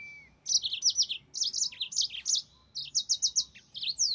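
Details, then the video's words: Energetic yellow-fronted canary song of high, clipped chirps in fast clusters, separated by brief pauses, closing on a quick upward-sweeping whistle. "Mozambik Gacor NgeroL SUARA TOP"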